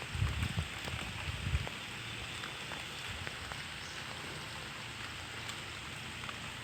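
Steady rain patters throughout, with a few low thumps near the start and no clear bird calls.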